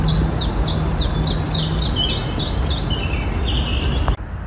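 A common chiffchaff sings an off-key song: a quick run of about ten high, falling notes, then several lower notes, over a steady low rumble.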